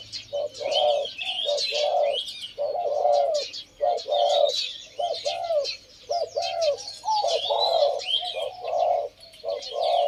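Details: A pair of caged male Spotted Doves, one with a deep voice and the other medium, two years in the cage, give a steady run of rounded coos in quick groups while small birds chirp behind them.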